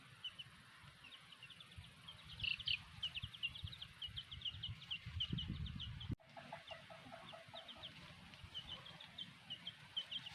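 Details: Black hen and her chicks: a dense run of high, thin chick peeps, several per second, then lower clucking notes from the hen after a brief break, over a low rumbling background.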